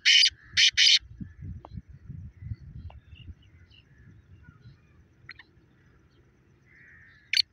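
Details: Black francolin, the Pakistani black partridge, calling: three loud, harsh, buzzy notes in quick succession, then a long pause with low rumbling background noise, and a single sharp note at the end.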